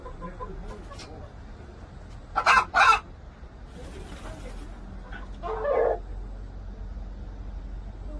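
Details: Korean native chicken giving short, harsh, broadband clucks: a double burst near the middle, then a softer single cluck later, over a low steady background hum.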